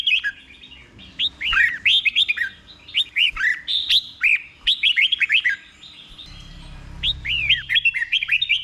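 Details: Nearly continuous red-whiskered bulbul song in the slow, clear doubled 'beul' style meant for caged birds to copy: lively chains of bright, looping whistled notes with only brief gaps and a soft rumble in the background.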